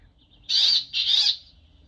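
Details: Brambling (Fringilla montifringilla), an autumn arrival from Scandinavia to England's east coast, often under beech trees, giving two drawn-out, harsh nasal wheezes, each about half a second, its contact call used instead of the Chaffinch's pink; quiet low rumble behind.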